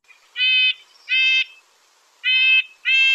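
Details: A Red-breasted Nuthatch, a Lake Tahoe bird, gives four nasal, tinny, horn-like notes, each about a third of a second long, spaced roughly every 0.7 seconds.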